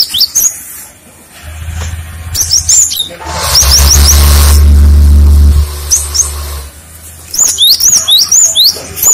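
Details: Cinereous tit singing to lure others into replying: rapid high upswept chirps at the start and end, broken in the middle by a loud low rumbling thump.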